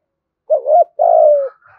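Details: Brief spotted dove urging coo, 'thổ' style, said to agitate wild and lure doves: a wavering first coo followed by a long smooth falling coo.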